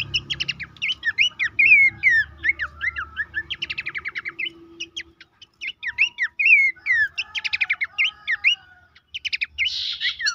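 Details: Horsfield's babbler singing in a recording meant to make caged birds sing: lively runs of chirps, falling whistled slurs and buzzy trills, repeated in bursts with short silences.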